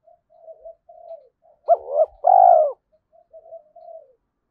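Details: Early-morning spotted dove calling to goad fights and lure others: soft murmuring coos, then one loud phrase of a short double note and a long rounded coo, followed again by quiet murmurs.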